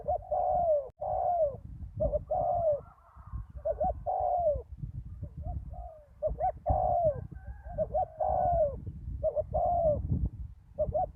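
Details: Spotted dove decoy at a ground lure site after a storm, joined by a deep-voiced wild bird: overlapping soft coos, stuttered double notes and long descending hoots repeated through the passage, above low rumbling background noise.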